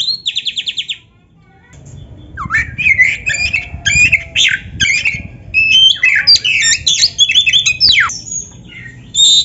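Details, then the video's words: Oriental magpie-robin (kacer) from a recording used to train kept birds: a short rattling trill, a pause, then a dense jumble of sharp chips, squeaks and slurred whistles with a faint low background hum. "KACER GACOR MASTERAN KACER ISIAN MEWAH"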